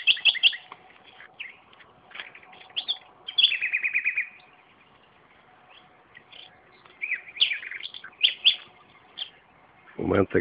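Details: Common nightingale singing in a garden beside tomatoes being planted: varied phrases of clear whistles and chirps, one rapid trilled run mid-clip, pauses between phrases, and a loud low thump of handling noise at the very end.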